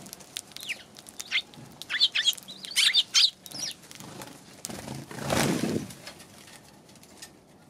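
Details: Eurasian tree sparrow recorded on January 11, giving a run of short, sharp, high chirps in quick bursts over the first three seconds, then a loud broad rushing noise and quieter scattered chirps.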